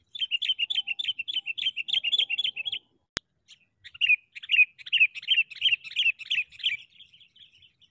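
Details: Sooty-headed bulbul used as a decoy bird while trapping wild bulbuls; a fast run of high, bright chirps for nearly three seconds, one sharp click, then a looser burst of warbling chirps trailing off into softer notes.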